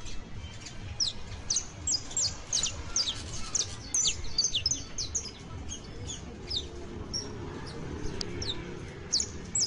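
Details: Saffron finch singing as a model for Creole canaries: quick series of high, slurred chirps and short whistles, fading somewhat toward the end, over low background rumble.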